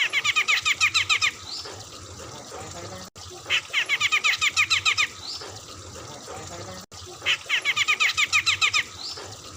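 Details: Bearded bulbul of the Medan type in full song, a rapid, harsh 'nembak' burst of about a dozen sharp notes, repeated three times over a hissing background.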